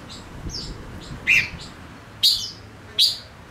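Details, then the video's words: Male silver-eared mesia kept as a decoy bird, singing: three sharp, bright chirps spaced about a second apart over a quiet, faint background hiss. "Chim ngũ sắc mồi hót cực hay kích bổi nhanh nổi | chim ngũ sắc hót | ngũ sắc trống"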